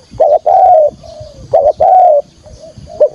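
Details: Spotted dove decoy calling to draw wild doves to a trap: two low phrases, a short wavering note and a longer gently falling coo, followed by softer trailing coos.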